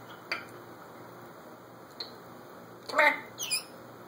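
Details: Pet African grey parrot, alone in a room and recorded on a phone, gives faint clicks and soft notes, then a loud harsh squawk followed by a high rising whistled squeal, with room hum behind.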